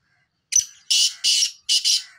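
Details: Rasping call series of a black francolin: a short squeaky opening note, then three loud grating notes, the last split into a close pair.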